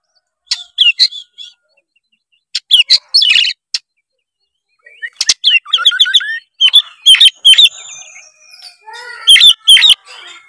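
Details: White-rumped shama song played to prompt a lazy juvenile to sing; scattered chips, then a fast stuttering series of notes and buzzy, chattering phrases with softer trailing notes.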